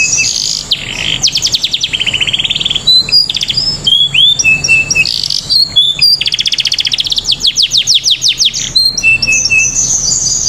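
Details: Atlantic canary of the AF type, song used as a lure to make other canaries sing; loud, continuous high chirping with fast buzzy trills, rapid repeated clicks and short sliding whistles, over a steady low background hum.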